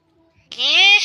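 A common hill myna gives one brief, voice-like syllable that sounds human, nasal and slightly rising, lasting about half a second, with no other clear sounds.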